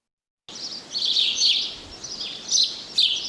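House Sparrow giving a run of bright, scratchy chirps in bursts, high-pitched and uneven in pace, with faint background noise.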